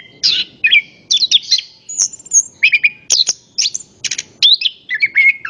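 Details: Orange-headed thrush in full, lively song used as a lure to get other birds singing: a rich jumble of high whistles, buzzy slurs and clipped chirps in rapid phrases about half a second apart, with faint low background rumble.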